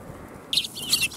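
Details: Sparrows coming to be fed at a Tenmangu shrine on 1 January 2021; after half a second of quiet, a burst of bright, high chirps and twitters overlapping for under a second.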